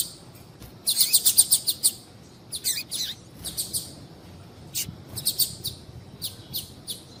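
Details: Female Double-collared Seedeater calling to excite males: a dense, buzzy burst of high chirps, followed by irregular single and paired thin notes over faint background hiss.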